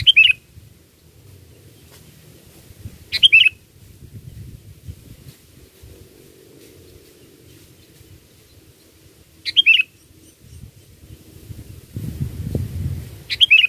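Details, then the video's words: Sooty-headed bulbul song serving as a bird-catching lure: short liquid warbled phrases repeated at irregular gaps of about three to six seconds, with low rumbling background noise between them. "Pikat Burung Kutilang ISTIMEWA"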